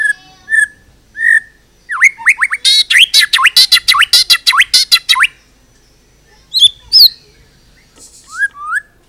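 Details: White-rumped shama song with full repertoire, a master recording for training other birds: rapid series of sharp rising whistled notes around two to four seconds, buzzy rattling bursts, then scattered clear whistles and short chirps with quiet gaps.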